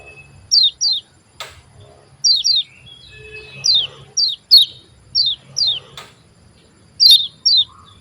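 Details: Javan white-eye song played as a lure to get reluctant white-eyes singing: sharp high chirps sliding downward, mostly in quick pairs, repeated through the recording with short quiet gaps and a faint low rumble beneath.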